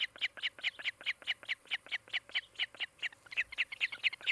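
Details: Osprey calling at its nest near Charlo, Montana, recorded by a nest camera on the afternoon of 16 July 2018. A steady rapid string of piercing, slightly squeaky whistled chirps, around three each second.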